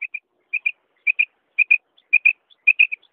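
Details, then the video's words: Female quail calling, a sound used for quail hunting: clear, high whistled notes given in quick pairs, each pair repeated roughly every half second against silence. "madi batair ki awaz 2023 female batair ki awaz"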